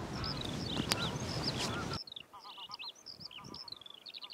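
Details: Eurasian skylark on a dry patch of meadow beside a road in the Biesbosch, Netherlands, in spring, singing on the ground: a rapid, high, warbling run of chirps and liquid trills without pause, at first half-buried under idling diesel-engine noise.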